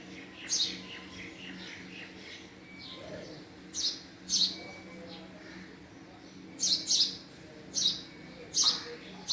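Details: Scattered chirps from a male house sparrow, single and paired high notes spaced irregularly over quiet stretches, with a steady low hum underneath.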